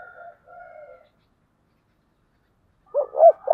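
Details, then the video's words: Spotted dove with the 'giọng thổ' song style: faint low purring coos, a pause, then the start of a louder phrase of short arched notes. "cu gáy giọng thổ/ cu gay giong tho cuc dinh"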